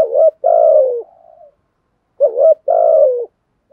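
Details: Two repeated coo phrases from a spotted dove doing the "thúc" song with "gù": each opens with a warbled hooked note and ends in a long purring slur that drops in pitch, the first with a soft trailing tail.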